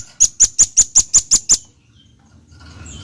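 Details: Velvet-fronted nuthatch singing: a fast run of eight sharp, high chip notes, evenly spaced about five per second, ending abruptly, followed by quiet background hiss.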